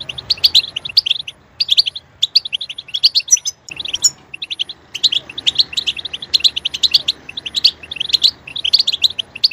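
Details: Stimulated goldfinch delivering a sustained stream of high, sharp twittering notes in repeated bursts, with a brief pause near the start.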